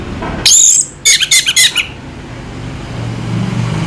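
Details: Orange-headed thrush, locally anis merah, in Indonesia: one bright whistled note sliding downward, then a fast burst of five or six clipped, chattering notes, followed by quiet with a low hum.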